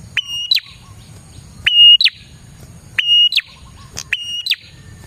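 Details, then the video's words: Prinia singing vigorously, a recording used as a lure to attract prinias: a sharp upsweep into a steady high whistle, then a quick rising-falling flick, the phrase repeated about four times with short gaps over a low rumbling background. "suara burung prenjak gacor ini 💯% Cocok Buat pikat dan pancingan prenjak bahan"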